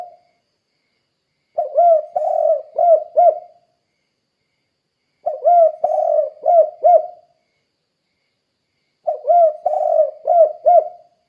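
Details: Spotted dove calling over and over, played as a lure for other doves: three evenly spaced cooing phrases about every three and a half seconds, each a short coo, a long wavering coo and two clipped arched notes, with silence between.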